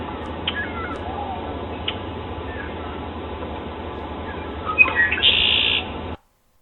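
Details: Male red-winged blackbird, played back. Males return first and use this call to establish a territory and attract the later-arriving females. A few soft, short notes, then a brief harsh buzzy trill near the end, over steady background hiss.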